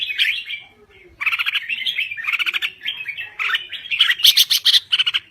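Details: Red-whiskered bulbul from Thailand singing actively: bursts of rich, bubbly warbled phrases with sharp chirps, rapid pulsed notes and brief pauses, louder and brighter toward the end.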